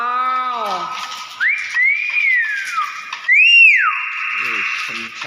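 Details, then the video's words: Common hill myna calling strongly. A low descending harmonic note opens, then two bright arched whistles rise and fall, the last one loud and sharp, over a faint steady hum. "BEO GACOR BAGUS SUARA ASLI"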